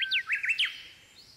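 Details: Japanese bush warbler after rain on 19 May 2020: a rapid run of about five loud, zigzagging, sharply slurred notes lasting half a second. Quiet hiss follows.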